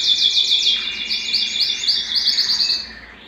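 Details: Domestic canary in breeding excitement, singing to mate: a fast, bright rolling trill of evenly repeated notes, then a second faster trill fading at the end, with a faint steady lower tone underneath.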